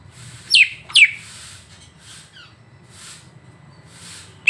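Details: Greater green leafbird song from a training recording intended to provoke a bird: two sharp high notes sweeping steeply downward half a second apart, followed by faint softer notes and quiet background.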